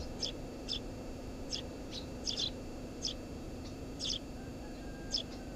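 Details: Eurasian tree sparrow at a nest under a house roof: short high chirps, single or paired, at irregular intervals of about half a second to a second, over a steady low hum.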